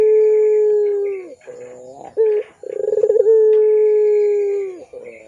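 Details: An actively cooing pelung Barbary dove used to lure young doves: a long steady low coo trails downward, quiet murmurs and a short coo follow, then pulsed stutters open another drawn-out level coo.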